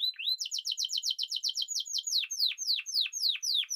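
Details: Spanish timbrado canary: a fast chain of rising buzzy notes, then slower, well-spaced downward sweeps repeated about three times a second.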